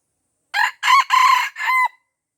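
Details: Junglefowl in Aceh, Indonesia, surrounded by young birds and refusing to fight, gives a loud harsh crow of four bursts: a short opening note, two long raspy middle notes, then a drawn-out final note that trails off. The background is otherwise quiet.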